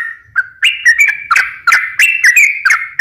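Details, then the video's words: Sooty-headed bulbul song used as a lure to get birds singing: a sequence of short whistled notes with crisp chirped attacks, rising and falling slightly, repeated every few tenths of a second. "pancingan suara burung trucukan gacor "malas bunyi , bahan dan burung stress langsung ikut gacor"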